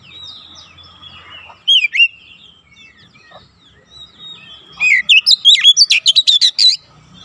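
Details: Oriental magpie-robin training song for young birds in the rapid nembak rapat style: a few scattered whistles, then a crowded run of about a dozen sharp, high notes near the end.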